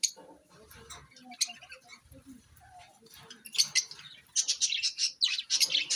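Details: Pet parrots vocalising: soft, scattered lower chirps and squeaks at first, then loud rapid bursts of harsh high-pitched chattering in the second half.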